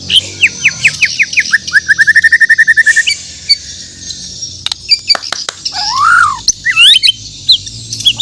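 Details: White-rumped shama (murai batu) of Borneo singing in the morning: a rapid even trill of about twenty repeated slurred notes, then scattered clicks and a long, smooth rising-falling whistle.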